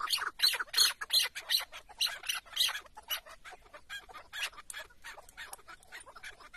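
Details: Chukar partridge tied out as a hunting decoy in Şırnak, Turkey: a rapid series of loud, rasping chuck notes that are strongest at the start and then soften and thin out toward the end.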